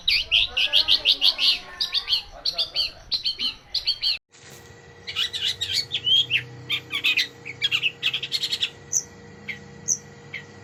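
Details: Long-tailed shrike (cendet) song in the rich 'isian' style used as training material for other birds: fast chattering chirps and trills, a brief cut, then scattered varied notes and sharp whistles over a steady background hum.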